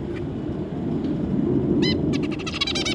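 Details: Zebra finches, adults together with their three juveniles, recorded 25 July 2022: faint single notes, then a loud nasal call and a quick run of buzzy, evenly spaced stacked notes near the end, against low rumbling background noise.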